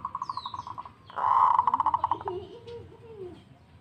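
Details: A local zebra dove singing: a run of evenly spaced soft coos leads into a louder rolling trill that breaks into separate pulses and fades, with faint lower sounds after it.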